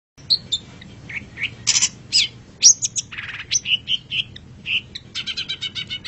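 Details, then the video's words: Long-tailed shrike master song used for training pet birds: a varied run of short chirps, buzzy bursts and sharp whistled notes, ending in a rapid rattling series, over faint low background hum. "MASTERAN GACOR - Suara Burung Cendet"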